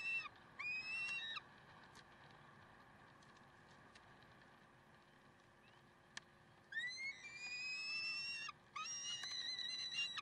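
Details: Peregrine falcons at Karlsruhe, recorded 30 May 2010 at 6:56, give drawn-out, harsh, harmonic wailing calls in three bursts, about one second long near the start and then longer near the end, separated by a quiet stretch with a steady background hum.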